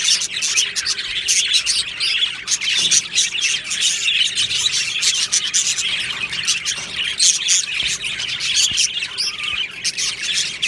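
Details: Many budgerigars chattering together in an aviary on 22 June 2025, a long unbroken wall of high twittering, clicks and scratchy warbled notes, fluctuating in loudness throughout.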